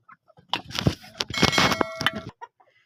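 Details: Grey francolin, possibly a female, giving harsh, grating cluck-like notes in a rapid burst lasting about two seconds, with a few faint higher squeaks at the end.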